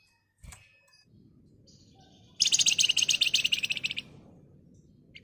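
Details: Agitated Flamboyan bird in full ngebren song, meant as a lure to get other birds singing. A sharp chirp comes first, then a loud, dense, rattling high trill lasting about a second and a half over faint low noise.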